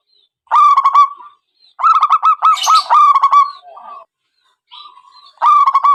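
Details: Zebra dove trapping lure call: repeated loud, rolling coo phrases made of rapid stuttering pulses, one long run lasting about two seconds, with a softer drawn note between phrases.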